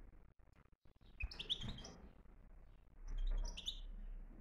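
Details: A Moroccan European goldfinch gives two short bursts of bright, tinkling twitters high in pitch, separated by a pause, over low background rumble.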